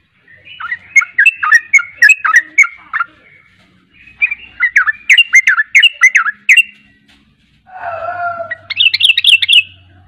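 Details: Sooty-headed bulbul (trucukan) in insistent 'ropel' song: three bursts of rapid, bouncing whistled notes separated by short pauses, the last opening with lower rough notes over a faint hum before a run of high sharp notes.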